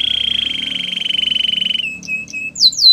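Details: White canary singing: a long rapid trill near one pitch, then short notes and a few quick downward-sweeping whistles at the end.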